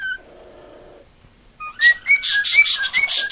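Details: Pet cockatiel hen seeking attention: a quiet murmuring stretch and brief silence, then whistled rising notes mixed with bursts of broad, hissy chatter.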